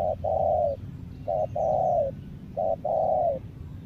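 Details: Decoy spotted dove, Lombok, three evenly spaced phrases, each a brief coo then a long level coo that drops at the end, roughly once every 1.3 seconds.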